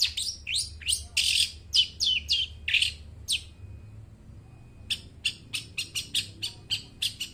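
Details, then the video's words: Long-tailed shrike song meant to draw out and train mute shrikes: a fast series of scratchy, descending chirps, a short pause with a thin steady tone, then crisp high clicks repeated quickly to the end. "suara burung cendet gacor suara plong cocok buat pancingan burung cendet bisu"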